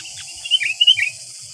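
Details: Sooty-headed bulbul song used to lure wild bulbuls: a few brief, bright chirping and slurred notes over a steady high hiss.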